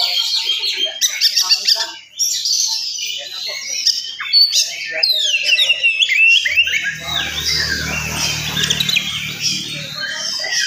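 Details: Oriental magpie-robin singing hard in the morning, fast-paced song meant to rouse other magpie-robins; bright whistled phrases and scratchy trills, with a low hum appearing in the second half.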